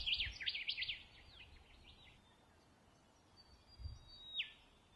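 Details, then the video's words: Rufous Whistler song in Pomingalarna Reserve, NSW, Australia: a quick burst of rich, looping whistled notes, then softer trailing phrases and a single sharp downslurred whistle, over a low outdoor hum. "Birdsong of the Rufous Whistler"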